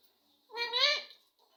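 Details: Rose-ringed parakeet, a ringneck parrot, speaking a name: one half-second harmonic, voice-like phrase that swells, then slurs downward, with brief faint noises before and after in a quiet indoor setting.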